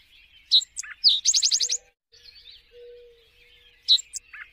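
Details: An Eastern Towhee sings its ringing 'drink-your-tea': two sharp introductory notes, then a quick buzzy trill of about six notes, with the phrase starting again near the end.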